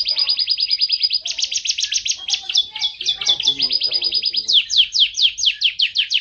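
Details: Canary in full song, loud fast trills of sharply repeated high notes, switching between tours, with a descending sweeping trill at the end.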